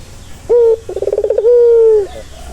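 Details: Relaxing turtle dove coo for a stressed bird: a clipped opening note, a pulsing rolling trill, then a long smooth coo that slowly drops in pitch. The background is quiet.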